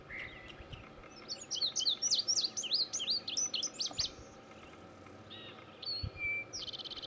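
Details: Male Indigo Bunting at Gamelands 095, Butler County, Pennsylvania: a quick run of high, sharp, paired slurred notes lasting about two seconds, followed by a few fainter thin notes and steady low background noise.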